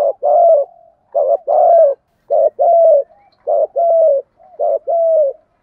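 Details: Spotted dove cooing to stimulate other doves. Low, mellow coos come in five phrases about a second apart, each a short note followed by a longer, slightly falling coo, against a silent background.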